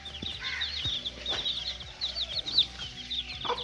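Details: Little chicken chicks at play, a dense chorus of high, thin peeps and short chirps overlapping continuously, with a few soft knocks and taps underneath.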